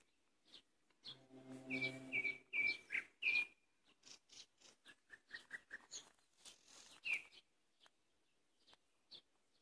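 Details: Common nightingale (Luscinia megarhynchos) singing in May: varied phrases of sharp whistles, rapid clicks and buzzy trills.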